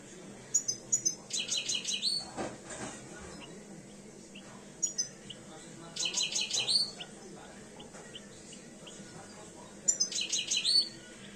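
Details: A two-year-old European goldfinch starting to come into breeding condition sings three short bursts of fast, tinkling high twitters and trills, separated by pauses, over a steady low background hum.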